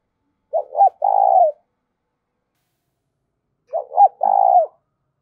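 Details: Spotted dove giving decoy coos: two phrases about three seconds apart, each of two short hooked notes followed by a longer, rougher, drawn-out coo, against a silent background.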